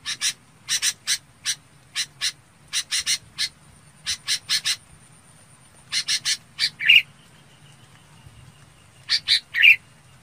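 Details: Red-whiskered bulbul calling the flock: loud bursts of short harsh broadband notes, mostly in pairs or triplets, with two brief whistled phrases near the end; quiet low hum underneath.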